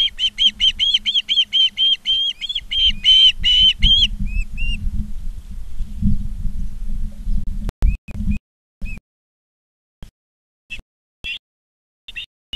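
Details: Osprey at a nest in Charlo, Montana, on 19 August 2023 in the afternoon; a rapid run of loud whistled chirps repeated for about four seconds, then scattered single chirps and clicks, over low hum.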